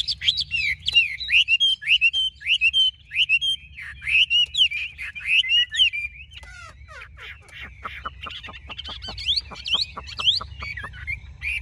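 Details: Large-bodied Chinese hwamei sold by a bird dealer in Vietnam, singing loud, varied whistled phrases with sharp slurred notes. It closes with a fast series of repeated, clipped downward notes and more whistles.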